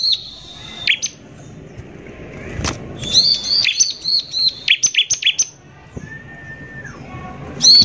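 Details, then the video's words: Ciblek (Bar-winged prinia) in vigorous harsh-style lure song. A held high whistle and a sharp click open the clip. A run of rapid piercing notes follows, then a lower steady whistle and a final burst. "PANCINGAN CIBLEK GACOR NEMBAK KASAR INI PALING BISA BIKIN CIBLEK EMOSI"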